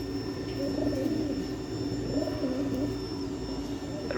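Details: A pigeon the owner caught gives low, throaty rolling coos over a steady background hum.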